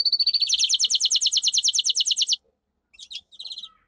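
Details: Domestic canary singing a powerful training song: a fast, even trill of repeated high notes for over two seconds, then a pause and a few brief chirped phrases.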